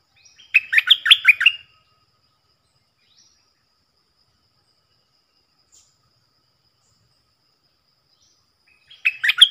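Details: Decoy bulbuls, four caged birds said to come from the real forest. A burst of rapid, bubbly chirps at the start is followed by about seven seconds of near silence, then another chattering burst begins at the end.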